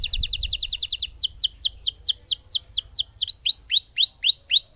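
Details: Lemon canary in full song, a long roll: rapid repeated downslurred notes, then slower sweeping swoops about four per second, ending in rising hooked whistles, clear and loud with faint low hum.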